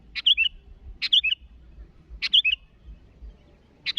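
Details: Sooty-headed bulbul calling rivals: clear phrases of a sharp opening note and two tumbling liquid whistles, repeated about every second before a short pause, with faint low thumping.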